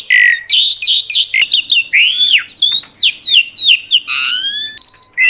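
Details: Jalak suren, the Asian pied starling, singing a varied 'full isian' song of rapid harsh chatters, rising and falling whistles and squeaky slurred notes, delivered almost without pause.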